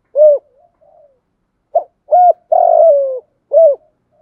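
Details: Spotted dove (Spilopelia chinensis) giving soft, low, hollow coos: short rounded notes and one longer burry purr, about five notes in four seconds, with nothing else heard. These are cooing and calling notes.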